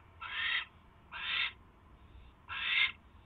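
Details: Owl that has just caught a mouse, at night on 28 January 2016, 10:21 PM: three long, raspy, noisy screeches of about half a second each, evenly loud, separated by short pauses, with faint background hum.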